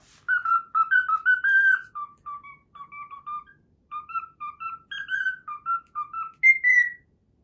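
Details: Pet cockatiel repeating the Pythagora Switch opening theme it learned, producing a flowing series of clear whistled notes in rising and falling phrases, quieter in the middle, finishing on a higher, slightly descending note.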